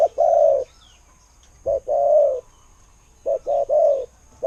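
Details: Spotted dove calling in soft hollow coos, each phrase one to three short clipped notes ending in a longer steady coo, repeated every couple of seconds.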